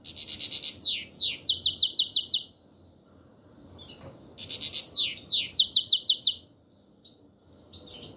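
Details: European goldfinch of the black-headed form giving 'chir chir' calls: two bright, high bursts, each a buzzy trill followed by quick tinkling, downslurred notes, about two seconds apart.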